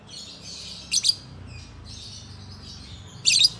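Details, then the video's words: Kept lovebirds in a group chattering softly with thin, high twittering, broken by two short, harsh, squeaky bursts near the start and end, against a quiet low rumble. "Lovebird Murah Tapi Bukan Murahan l Ombyokan Gacor"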